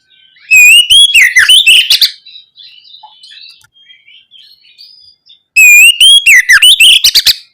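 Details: Oriental magpie-robin singing in the full, open ngeplong style, played as a lure to prompt young birds to answer. Two loud phrases a few seconds apart each open on a clear rising whistle, then run into quick twisting notes and sharp clicks, with soft twitters between.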